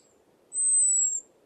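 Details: American Robin giving a single thin, very high, drawn-out seee that falls slightly over about 0.7 seconds, over a faint low hum; a call robins give when a predator flies overhead.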